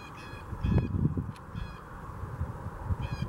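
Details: Several blue jays calling in Huron Natural Area, Kitchener, giving short, harsh nasal notes, two close together early on and one near the end, over a steady low rumble.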